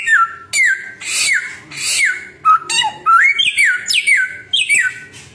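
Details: Samyong bird, noted as having a thousand and one sounds. It repeats whistled phrases that start high and drop, each about half a second long, mixed with harsh squawky overtones, with a faint low hum behind.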